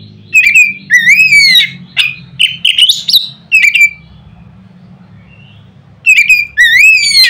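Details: A loud provoking song from an Oriental magpie-robin meant to set off other magpie-robins: a run of varied whistles and clicks, a silent gap of about two seconds, then two more rising whistled phrases.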